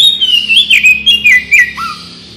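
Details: Oriental magpie-robin (kacer) singing energetically, a lure to prompt other birds to respond: a rapid run of sweet whistled and slurred notes, rising and falling, ending on a lower downslurred whistle.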